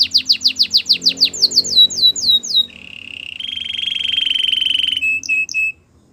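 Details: Canary singing a training song: quick repeated downswept whistles slowing into longer slurs, then a steady buzzy rolling trill held for over two seconds, ending in a few short high notes and quiet.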